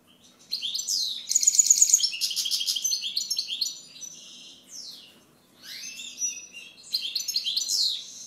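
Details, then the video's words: European goldfinch delivering a lively, continuous twitter of bright high notes, including a quick rattling trill near the start and sweeping chirps later. "Chant Chardonneret"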